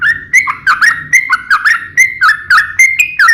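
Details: Vigorous song of a trucukan, the sooty-headed bulbul, in rapid 'ngeplong' style: bouncy whistled two-note phrases with sharp upper clicks, about three per second, over a faint low hum.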